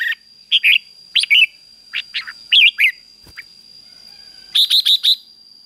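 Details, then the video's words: Red-whiskered bulbul performing 'ché' song to rouse male birds to sing and fight; scattered paired liquid chirps spaced about half a second apart, a single click, then a fast run of four bright chirps; thin high hum throughout. "CHÀO MÀO CHÉ Kích Chim Nhanh Căng Lửa | Kích Chào Mào Ức Chế Sổ Giọng Hót Đấu - Chào Mào Kích Trống"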